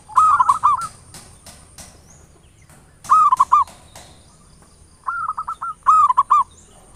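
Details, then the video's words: Zebra dove of local stock singing ngayer nulop lure phrases intended to provoke rivals into song: three bursts of rolling, mellow coos roughly every three seconds, each ending in stressed notes, with light clicks between. "Perkutut lokal PANCINGAN SUARA NGAYER NULOP ampuh merangsang cepat EMOSI BUNYI GACOR"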